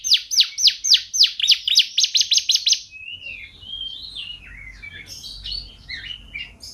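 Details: Caged-bird training song of a champion canary: a loud, quick rolling trill of clipped notes for three seconds, then softer warbled whistles and chirps rising and falling.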